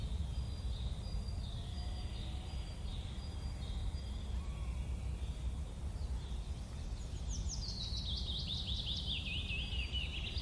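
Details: A hazel grouse (Tetrastes bonasia) with young at the nest gives very high, thin whistles ending in a descending, slightly trilled run of notes, over heavy low rumbling wind or handling noise. Hazel grouse.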